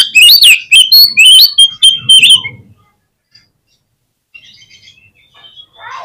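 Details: Oriental magpie-robin singing as a lure for quick answering and tail-spreading: about two and a half seconds of loud rapid whistles and chips, then near silence with faint distant twitters.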